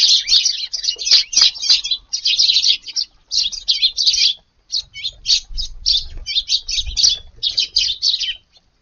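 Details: Rapid bursts of high chirping from a group of Eurasian tree sparrows feeding in a garden after dawn on a hot August morning, grouped in rhythmic clusters separated by short gaps.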